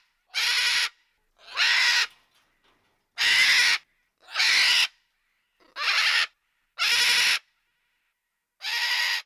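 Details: Macaw giving seven loud, grating squawks, each about half a second long, repeated every one to two seconds with silence between.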